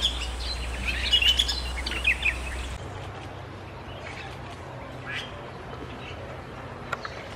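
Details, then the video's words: Wild Bali myna in forest on Bali, Indonesia: a cluster of short, bright chirping notes in the first few seconds, then quieter with a low steady hum and scattered faint notes. "Burung JALAK BALI di hutan part 2 ~ BALI STARLING in the wild"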